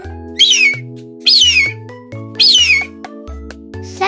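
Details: Red-tailed hawk calling; three hoarse, drawn-out screams that slide downward, roughly one per second, over steady children's music with a simple bass line.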